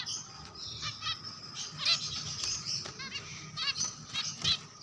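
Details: Java sparrows calling together, a busy overlapping chorus of short high chips and quick down-slurred chevron notes scattered through the seconds, with a faint steady hum underneath.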